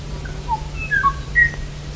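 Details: Kāmaʻo (Myadestes myadestinus) song, Hawaii, 1989, the year this now-extinct species was last seen: a few clear whistled notes at shifting pitches, some sliding, over a low steady hum.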